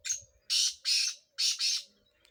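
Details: Black francolin (kala tetar) from Sindh, used in chakree training: a harsh, grating call of four rasping notes, a brief opening note, then two broad scratchy bursts and a closing pair, with a faint thin whistle at the start.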